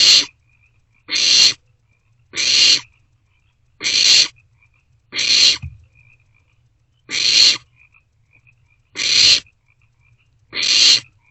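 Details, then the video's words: Barn owlets calling from a nest box on 27 March 2024, between 1:47 and 2:06 am, while sharing a vole and passing it back and forth. Harsh, hissing screeches about half a second long repeat irregularly, roughly every second. "Barn Owlets Share a Meal"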